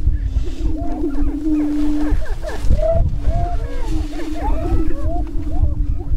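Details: Spring mating display of Greater prairie-chickens on a northwest Minnesota lek, April 2013: a continuous low droning hum, briefly swelling louder, with scattered rising whooping notes, over strong low wind rumble.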